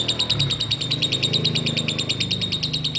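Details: Lovebird ngekek played to prompt other lovebirds to sing: an unbroken, fast, high-pitched chatter of even pulses over a steady low droning background.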